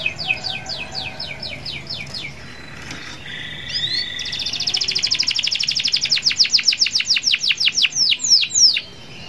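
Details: Canary song meant to prompt other canaries to sing: a short run of descending notes, a pause with faint whistles, then a long accelerating trill of sharp repeated sweeps ending in slower drops.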